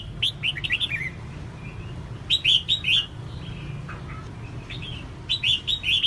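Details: Red-whiskered bulbul female calling to get males singing. Short groups of three or four crisp, upslurred chirps recur several times, with faint softer notes between and a low hum in the background.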